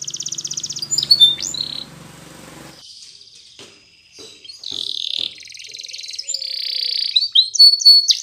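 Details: Belgian canary song for training juveniles: choppy trills and whistles, a hissy noisy stretch and near silence midway, then buzzy sustained rolls and a few sharp high notes.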